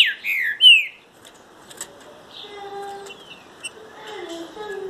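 A Green-winged Saltator gives a loud burst of rich, slurred whistles in the first second, followed by faint, low tonal notes and distant chirps.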